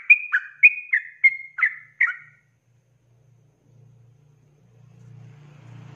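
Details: Sooty-headed bulbul in the ropelan style, used as a training recording for cage birds: six loud, clear whistled notes, each dropping in pitch, delivered quickly over two seconds, followed by quiet with a low hum.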